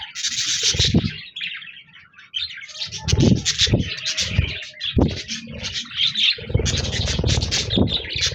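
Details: Budgies recorded on 26 January 2024, giving a dense, scratchy warbling chatter of quick chirps, with repeated low thumping knocks underneath throughout.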